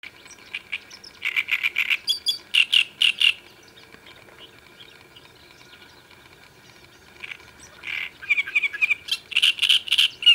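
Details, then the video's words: Great reed warbler on a river bank of the Sviyaga in late May, 25 May 2017; loud harsh croaking, grating notes in repeated bursts of two to four, a pause midway, then renewed chattering phrases. "Дроздовидная камышовка"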